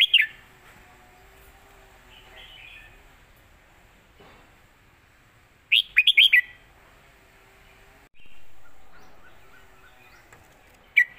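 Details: Red-whiskered bulbul song, a traditional southern Thai style used for teaching young birds: short bright warbled phrases near the start, middle and end, separated by long quiet gaps with faint background hiss.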